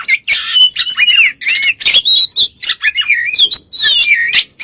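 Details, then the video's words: Dense, nonstop song of an oriental magpie-robin meant for luring other birds to sing, mixing harsh scratchy bursts with bright looping whistles and rapid chattering notes, loud and continuous throughout. "burung kacer gacor untuk pncingan"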